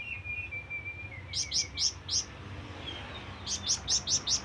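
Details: Flamboyan bird calling to companions or rivals with two short bursts of piercing high chirps, four then five notes, separated by a quiet gap with faint thin whistles early on.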